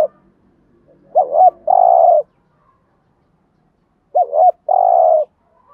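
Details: Spotted dove 'gù thúc' urging coo used as a lure for wild doves: two phrases, each a warbled double note then a steady sustained coo, spaced about three seconds apart, with faint murmuring at the start.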